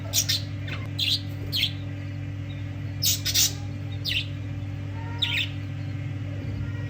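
Budgerigars give short, scratchy chirps in quick bursts over a steady low mechanical hum.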